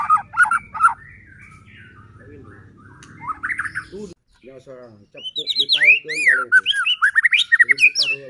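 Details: White-rumped shama used to make other shamas sing and get agitated; soft whistled notes over low hum at first, then loud arching whistles and quick varied phrases.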